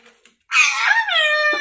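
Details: Talking pet parrot indoors produces a loud, bright, harmonic vocal sound, wavering at first and then settling into a steady drawn-out tone, preceded by faint soft sounds.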